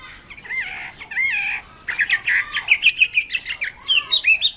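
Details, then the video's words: Chinese Hwamei song: soft warbled slurs at first, then rapid, clipped whistled notes in a fast run, finishing with a few high, sharp calls. "BURUNG WAMBI KEMBANG MANDARIN GACOR KICAUNYA"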